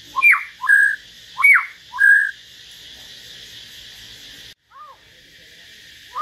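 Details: Common hill myna singing solo alongside a white-rumped shama: four loud whistled notes, sharp downslurs alternating with flat clear whistles, then a quiet pause with a faint low note near the end.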